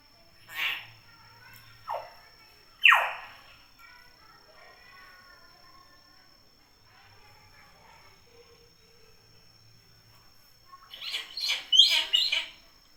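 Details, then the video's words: Common hill myna, described as natural and highly vocal, giving three loud, harsh calls that sweep downward within the first three seconds, then a quiet stretch before a burst of rapid, sharp, clustered notes near the end. "Suara burung beo alami gacor"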